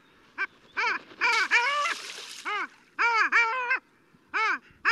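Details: Long-tailed duck, a deep-diving seabird often heard before seen, giving nasal, yodeling calls, each note bending up then down, in quick bursts of two or three, with several birds overlapping.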